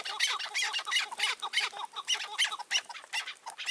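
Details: Chukar partridges during May 2024 trapping with a caged decoy bird: a short burst of loud, rough chattering notes, rapid and uneven, several calls overlapping.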